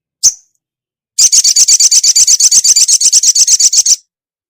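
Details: A female ruby-cheeked sunbird calls the male with one lone high chirp. After a pause comes a fast, even trill of about two dozen sharp ticking notes lasting nearly three seconds.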